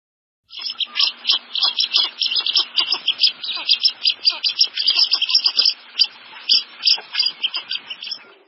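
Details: Blue-winged teal (Spatula discors), live duck, giving a rapid, busy stream of thin, high-pitched squeaks and peeps, about three a second, with uneven pauses between bursts.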